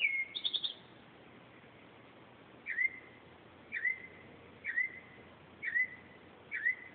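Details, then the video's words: At 2:30 am a northern mockingbird sings into an Android phone: a quick high trill opens, then a short whistled note that rises and drops is repeated about once per second, five times, over faint steady hum. "Mockingbird at 2:30 am"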